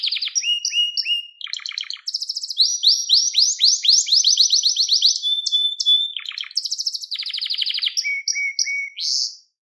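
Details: Canary song meant to train young canaries: paired whistled notes, fast rhythmic rising sweeps, a steady held tone, a buzzy roll, and closing low whistles before silence.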